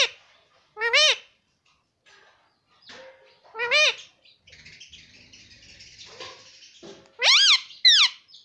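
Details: Talking pet parrot repeating mummy and papa nonstop; loud, sharp rising-falling squawks stand out, spaced a few seconds apart, with a quieter raspy chatter between them and a closing pair of quick harsh calls.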